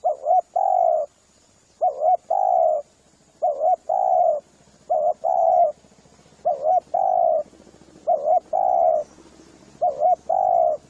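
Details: Spotted dove lure call to bring in spotted doves. Paired coos repeat steadily, a double-humped note then a longer level coo, six times over a constant low hum and faint high hiss.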